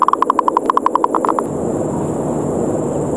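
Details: Zebra dove lure call, 'ngerot' style, challenging other doves to fight: a fast run of about sixteen short, clipped coo notes over one and a half seconds, then only steady hiss.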